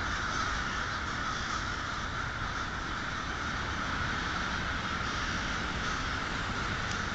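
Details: Many crows calling together at twilight, Polish Hill, 1/6/12: an unbroken wash of overlapping rough caws that stays level and busy throughout, no single bird standing out.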